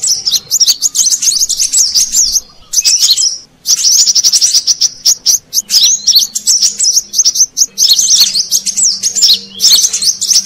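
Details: Brown-throated sunbird lure call to attract wild birds: long spells of shrill, rapid twittering and squeaky rising notes, with a clear pause near three seconds, faint low hum in the background.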